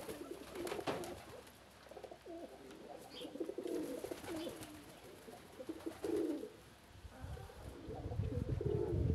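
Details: Several homing pigeons, glad to be out, overlap in soft rolling coos, repeated wavering low notes with scuffling and a few clicks between them.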